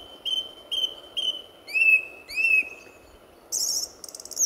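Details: Song thrush singing at RSPB Fowlmere on a February 2014 morning as the sun was about to rise: a clear whistled note repeated three times, then an upslurred note given twice, then a scratchy, high, rattling phrase.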